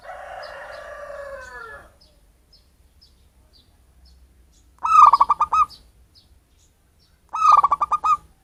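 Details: Wild local zebra dove calling as a bird-catching lure. A wavering, drawn-out sound opens the recording, then two phrases of rapid pulsed cooing notes follow, a couple of seconds apart.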